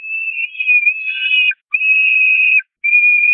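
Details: Hungry Peregrine falcon chicks at a nest on the Catharinakerk, 5 May 2021, attacking their mother for food: three drawn-out, high, slightly wavering whistled wails, the first about one and a half seconds long, separated by short pauses.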